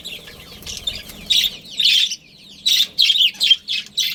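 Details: Australian parrots, a budgie breeding pair: loud, bright chirped phrases repeated in bursts about every half second after a quieter start, with soft low rumble early on.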